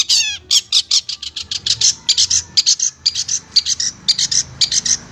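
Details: Long-tailed shrike tutor recording for training kept songbirds: a quick descending rattle, then a long run of loud, short, high chirps and clipped notes, closely spaced and uneven in rhythm.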